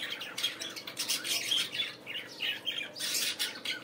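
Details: Budgerigars in the morning giving busy, scratchy warbling chatter with squawks and short chirps that overlap continuously, over a steady low hum.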